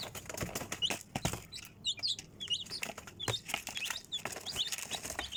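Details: Chicks peeping: many short high chirps, some looping and falling, scattered through the clip amid clicks, rustling and scratching sounds.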